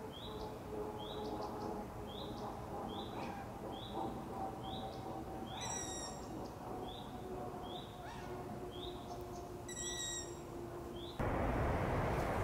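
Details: Long-eared owl owlets begging after dark, high upslurred squeaks repeated steadily about once a second for over ten seconds, two loud layered tones between them, a low hum, then a burst of noise at the end.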